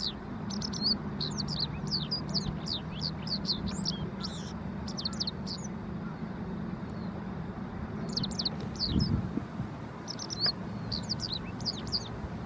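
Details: Japanese wagtail uttering long runs of rapid, rasping, buzzy notes, a dense burst for the first five seconds, then further bursts after a pause, over steady low traffic-like rumble.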